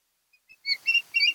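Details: Osprey at its Kent Island, Maryland nest, camera audio of 10 August 2018, 02:30–03:30; two faint short peeps followed by three louder, slurred, harsh-edged whistles with some background hiss.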